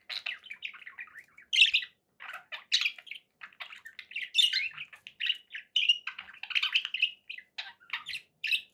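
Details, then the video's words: Pet budgerigars chirping: short warbled chirps and squawky notes in quick, irregular bursts with brief pauses, several birds overlapping at times, in a quiet room. "budgie sounds for pet birds"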